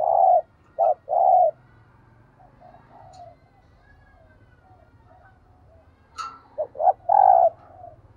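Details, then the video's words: Decoy spotted dove in thúc gù cooing: three mellow coos open, then a soft warble, a brief sharp click, and a closing pair of coos over a steady low engine-like rumble. "Chim Cu Mồi Thúc Gù Bài Bản Nghe Rất Xướng Tai"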